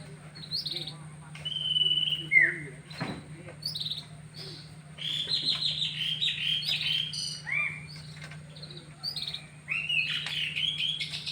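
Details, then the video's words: Canary, panda and yellow birds compared, singing a varied warble of short whistles, downslurred notes and buzzy rolls, broken by a sharp click, over a constant low electrical hum. "kenari panda vs kenari kuning"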